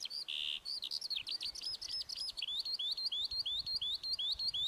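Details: Singing lark opening with a buzzy note, then tumbling into a quick series of repeated, hooked chirps, nearly three per second, all high-pitched.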